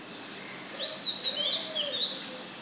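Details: Oriental magpie-robin singing at dawn, 05:02 on 12 June, a new song: a string of clear, high whistled notes sliding up and down, with soft low cooing and steady background hum.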